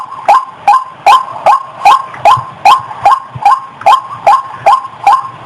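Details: Female white-breasted waterhen ready to mate, repeating a raucous, rising croak steadily, around thirteen notes over the stretch, with faint low rustling between calls.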